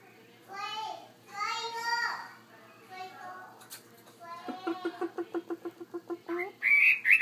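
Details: Chinese hwamei kept in a bigger cage delivers drawn-out harmonic phrases, then a rapid stuttering series of short notes building into loud high whistles at the end, with a faint low hum behind.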